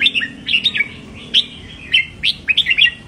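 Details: Song of a red-whiskered bulbul, in the doubled style used to rouse caged birds: lively sharp whistled notes tumbling in quick phrases, some rising steeply, separated by short gaps, over a soft low hum.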